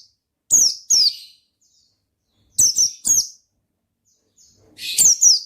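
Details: Oriental white-eye delivering ngalas song: pairs of piercing downslurred chirps at irregular intervals, the last pair louder and buzzier, with silence between the groups.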